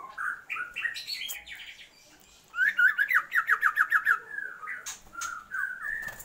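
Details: Female Oriental magpie-robin calling to the male to increase his breeding urge: scattered varied notes, a pause, then a fast run of about ten repeated sharp chips and a few slurred whistles.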